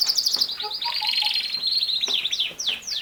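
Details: Singing canary delivering a fast rolling trill that runs steadily for about two seconds, followed by several sharp downward-sweeping chirps.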